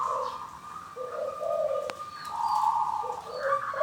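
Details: Local zebra dove taken from the wild gives a ngorok koar koar style song of soft low coos and rapid trilled higher notes in short bursts, with one sharp click midway.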